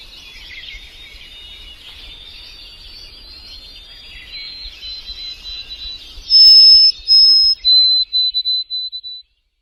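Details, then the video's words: Male bird calling for a mate: soft, high twittering under a steady hiss, then several loud, clear, high whistled notes near the end, each a little shorter than the last. "Cara burung jantan mencari pasangan"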